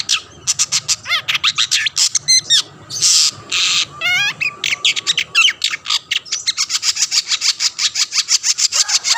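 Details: Long-tailed shrike singing vigorously to lure other shrikes into song: quick clicking notes, looping whistled warbles and harsh grating bursts give way to a long, fast string of sharp chips.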